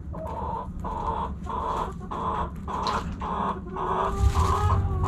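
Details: Backyard hen at sunrise clucking in a steady series of loud, nasal, harmonic notes, roughly two per second, ending in a longer rising call; low hum behind.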